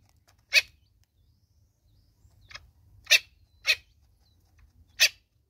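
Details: Natal spurfowl, a mother with her chicks in South Africa, uttering four loud grating notes spaced irregularly, plus one softer rasp and faint ticking between calls.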